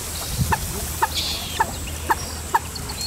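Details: Two grown Common Moorhen chicks, found with a parent, calling for it as they wander from home: clear piping peeps, one about every half second, with a high insect buzz and a brief thin whistle behind.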